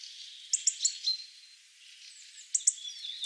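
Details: Hawfinches calling in Ivanovo, Russia: a quick trio of sharp, high ticks, a pause, then two more ticks and faint, thin sliding whistles.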